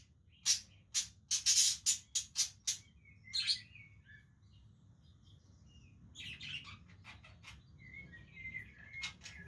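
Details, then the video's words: Budgies playing together give a rapid burst of about eight sharp, scratchy chirps, then a pause, a scratchy squawk, and soft wavering warbles mixed with more short chirps, with faint background hum. "Budgies playing with each other"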